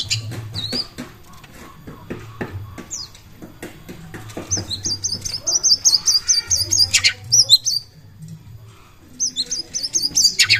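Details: Oriental magpie-robin lure song meant to make competing birds sing: scattered clicks and short whistles, then fast strings of high repeated notes broken by a brief pause, with low hum throughout.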